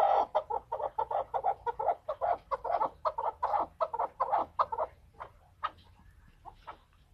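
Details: Chukar partridge calling: a long run of harsh, clucking chuk notes repeated several times per second, gradually fading and slowing toward the end.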